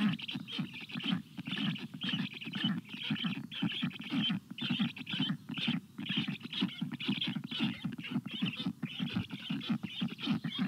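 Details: Black stork chicks in the nest on 25 June 2022 call for water in the heat, a sound unlike their food begging. Hoarse, chattering pulses continue for ten seconds in irregular bouts of about two per second.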